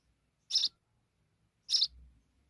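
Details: Sparrow mother and babies: two brief raspy high chirps about a second apart, with a faint low rumble after the second.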